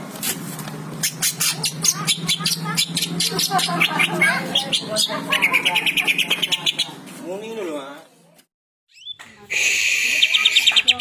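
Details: Twelve greater green leafbirds, described as chatty and in full song: rapid runs of sharp, high chirps repeated several times per second, with a gurgling lower warble and a steady low hum underneath. A brief silence is followed by a loud burst of trilled notes.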